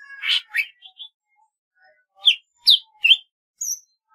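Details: Golden-fronted leafbird: a rough, warbled opening, soft scattered notes, then three loud quick chirps and a clear high whistle.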